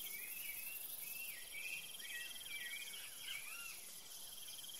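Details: Saffron finch (Sicalis flaveola) at seeds in Curitiba, Brazil, singing a loose string of short, chirpy whistled notes for about three seconds, over a steady high buzz of crickets.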